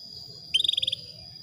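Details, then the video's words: Female Atlantic canary calling to a male to bring him into breeding condition: one quick trill of about nine bright, evenly spaced pulses lasting under half a second, over a steady high electronic whine and faint low rumble. "PANCINGAN KENARI BETINA MEMANGGIL JANTAN"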